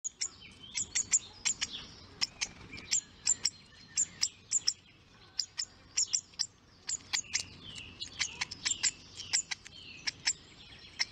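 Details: A baby hawfinch at the nest, doing a begging "feed me" dance, gives sharp, very high ticking notes, about two or three a second, with a few softer down-slurred squeaks between them.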